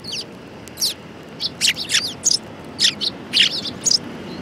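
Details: Several sparrows gathered at food at a shrine in Japan on 22 January 2018, giving short bright chirps in irregular bursts, many overlapping, about nine notes over a few seconds with a quiet background.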